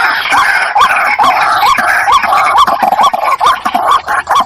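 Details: Decoy call of a White-breasted waterhen: regular upturned croaking notes, roughly two per second, partly masked by steady broadband noise.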